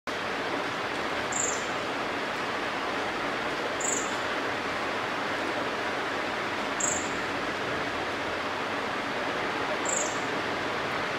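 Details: Pale-billed (Tickell's) flowerpecker on a Millingtonia hortensis tree gives one of its calls: four sharp, very high ticking notes about every three seconds over steady background hiss.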